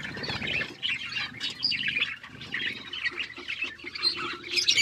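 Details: Several budgies chatter and chirp as they eat seeds, a continuous jumble of bright, scratchy high notes rising and falling in short bursts, with faint low rustling and pecking.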